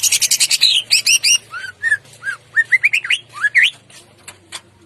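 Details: Greater green leafbird giving an excited gacor lure song with crest raised, morning: rapid harsh buzzy notes, then a string of short rising and looping whistles climbing in pitch, trailing off into soft clicks.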